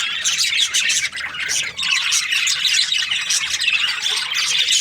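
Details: Breeding pairs of budgerigars, Australian parrots, chirping together: dense overlapping warbles, squawks and short tweets, continuous with brief dips in loudness.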